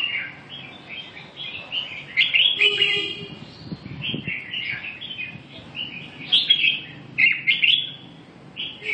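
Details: Red-whiskered bulbul delivers a run of quick, bubbly warbled notes, repeated in lively bursts. A brief low tone and some clicking handling noise appear in the middle.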